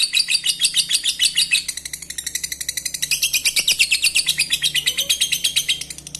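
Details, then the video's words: Lovebird chatter used to stimulate breeding: nonstop rapid buzzy twittering, very high and dense, dipping slightly in pitch midway, over a low background hum. "Pancing birahi Lovebird anda dengan suara Lovebird ini"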